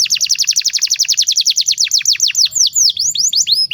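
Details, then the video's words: Canary master song for training young birds: a fast, even trill of sharp descending notes that slows midway into wider, swooping downslurred whistles with brief pauses between them. "SUARA BURUNG KENARI PANCINGAN MASTERAN PAUD BIAR GACOR PANJANG"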